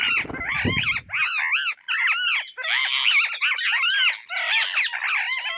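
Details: Indian ringneck parrots searching for seeds: strings of arched, shrill screeches repeated about every second, several birds overlapping, with a low rustling thump at the start.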